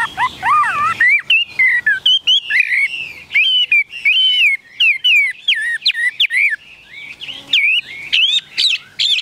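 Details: Continuous song from a tame caged Chinese hwamei: loud, mellow whistles twisting up and down, with quick rising and falling phrases repeated in an irregular, lively rhythm throughout.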